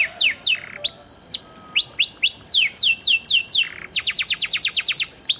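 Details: Panda canary singing a lure meant to draw replies from canaries that have stopped singing: repeated bright descending whistles, a few rising slurs, then a fast burst of sharp staccato notes.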